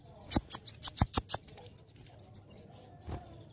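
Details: Kolibri ninja (olive-backed sunbird) singing a training song for other birds: a quick series of sharp high chips and short whistles that fade into softer, thinner notes, ending with one brighter upward whistle.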